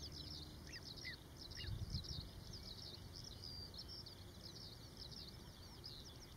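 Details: Little ringed plover (Charadrius dubius) with chicks, giving thin, high, down-slurred peeping notes about three a second, with a few lower chirps among them, over a steady low wind rumble.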